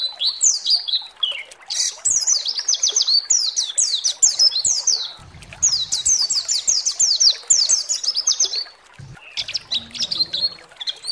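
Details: White-eye singing in a lure recording meant to excite other white-eyes into song: long, rapid runs of very high, sharply downslurred notes. A few short pauses break up the runs, and faint low clicks sit underneath.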